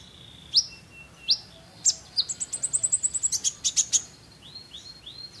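A sunbird's high, thin song: sharp upswept chips, then a fast run of about fifteen ticking notes, ending in soft slurred whistles.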